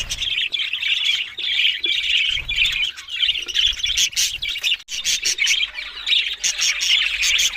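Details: Talking budgerigars, Australian parrots, kept as pets: a dense, unbroken warbling chatter of squeaky chirps, clicks and rapid twittering notes that runs almost without pause, with a few sharper squawk-like accents near the middle.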